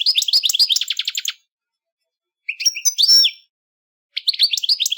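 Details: European goldfinch song in three bursts: rapid tinkling, twittering notes repeated many times a second, then a short pause, a buzzy rising phrase with a thin sustained whistle, and more liquid chattering trills after silence.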